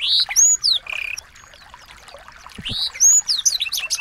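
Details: Small birds singing as tutor song for training a white-rumped shama: high whistled upslurs and downslurs in quick bursts, a short flat whistle, then a quiet pause of about a second before another burst of sweeping notes.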